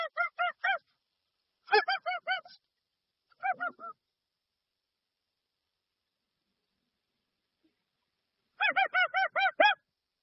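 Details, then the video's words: Dusky-legged guan giving repeated bursts of harsh, harmonic honks, three close groups followed by a long pause and a final rapid series of about seven notes. "Som limpo do canto🎵 do Jacuguaçu"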